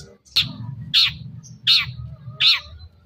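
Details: Long-tailed shrike recorded as a lure to make others answer: four loud, harsh, scratchy notes spaced about two-thirds of a second apart, with a low hum behind.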